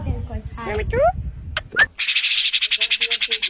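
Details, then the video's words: A Common Myna in Bangladesh gives slurred rising whistles and sharp clicks, then a fast, harsh chattering run of about ten notes a second, over a low background rumble. "Common Myna Bird Sound"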